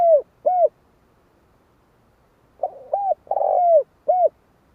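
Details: Spotted dove cooing: the last two notes of one phrase, a pause, then a full phrase of a soft intro, a rounded coo, a long burry downslurred coo and a short ending coo.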